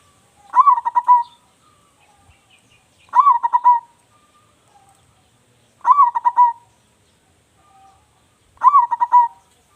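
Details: Local zebra dove with a strong, loud voice, suitable as a lure for other doves, repeats its bubbling coo phrase four times, roughly every two and a half seconds. Each phrase has a rising lead note and a stuttered trill of soft coos.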